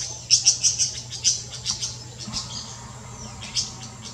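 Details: Golden-winged parakeet in the Brazilian Amazon giving a quick run of sharp, high chattering notes, about three per second, then scattered shrill calls, with a low hum underneath.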